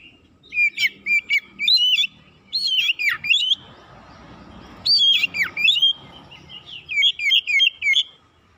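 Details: Persistent oriental magpie-robin lure song to provoke other birds: clipped chirps build into loud descending whistled phrases, a pause, then a further run of rapid looping notes.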